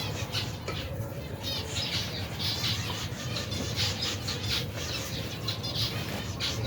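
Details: Large finch colony, over 120 pairs with young, at feeding time in cold weather: rapid clusters of sharp chirps repeating throughout, layered over low rumbling noise.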